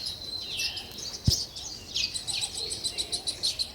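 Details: Sparrows chirping in a natural setting, also called weaver birds: high thin chirps and short slurred notes, then a run of evenly spaced chirps near the end, with one brief low thump midway.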